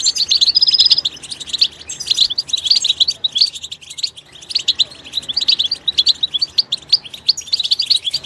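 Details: Goldfinch song recorded in its natural environment: busy, high twitter with an early level whistled note, a short quieter pause, then fast repeated chirping.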